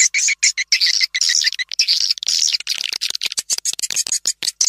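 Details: Swiftlets in a call used to lure swiftlets: dense bursts of high, scratchy chirps and twitters, rapid and irregular, with short gaps between them.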